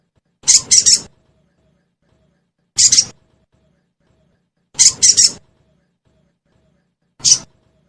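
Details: Crested jay, locally sogon, lure sound for making caged birds sing fast: four high, buzzy bursts alternating double and single notes, roughly every two and a half seconds, with nothing else audible.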